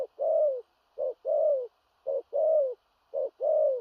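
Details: Spotted dove, a large-bodied bird, calling in the strong 'thổ rặc' cooing style with stammering coos: paired phrases of a brief clipped note and a drawn-out descending coo, steady roughly one-second rhythm, four cycles, no other sounds.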